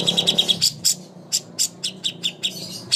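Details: Contest-training master song of a greater green leafbird: a rapid string of high chirps, then spaced, clipped, ringing notes about every quarter second, varying slightly in pitch.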